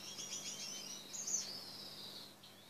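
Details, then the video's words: Caged male Gouldian finch performing its mating dance, giving a drawn-out high, thin, wheezy buzz that sweeps and wavers before fading, with a low electrical hum underneath. "Gouldian finch mating dance."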